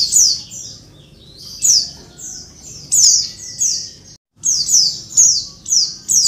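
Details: Female Oriental white-eye summoning males, used to spur lazy singers; shrill descending buzzy notes in loose pairs, interrupted by a brief moment of complete silence before the calls resume.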